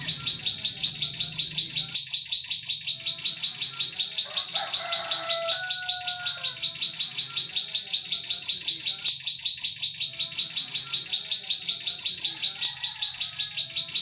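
A Bar-winged prinia gives rapid, high, ticking notes repeated about two or three times a second, with a few lower whistled notes from another bird mid-way.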